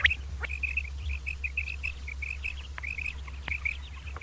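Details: Morning calling of common quail, a string of short, sharp, high notes in rapid groups repeated without pause, with a few faint clicks and a steady low hum underneath.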